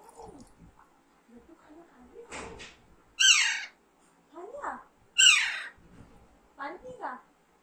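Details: Alexandrine parakeet uttering two piercing, descending screams about two seconds apart, with short buzzy upswept chirps and quiet low warbles between.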